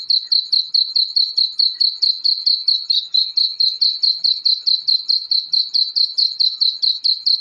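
Black francolin chicks give high, thin peeping notes, steadily repeated several times a second in an even run, with nothing else audible.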